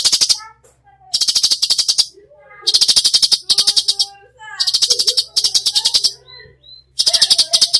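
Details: Cucak cungkok in full 'tembakan' song: rapid buzzy rattles repeating almost continuously, interwoven with short sliding whistles and chattering notes, one rattle following another with brief pauses.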